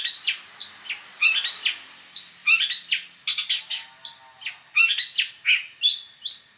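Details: Cendet (long-tailed shrike) song packed with mixed fill phrases. Irregular sharp whistles, quick downslurred notes and scratchy chips come in uneven bursts, with a faint low hum in the background.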